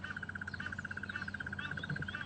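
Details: Two crested barbets call near their nest during a January morning safari drive at Djuma, South Africa, agitated with a leopard probably a few metres away: a long, even trill, about thirteen pulses a second, over low rumble.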